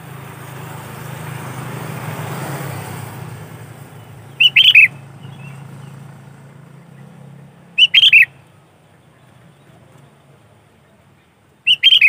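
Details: Lure recording of a sooty-headed bulbul in 'gacor' song: three short phrases of rapid, chirpy whistled notes, spaced roughly every three to four seconds, after a stretch of broad background rumble that fades away.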